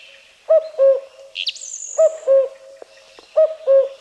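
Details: Forest-dwelling Common Cuckoo in Poland's Wielkopolski National Park, 1990 recording: three clear low cu-coo pairs, each falling from the first note to the second, with a sharp high song thrush note rising between them.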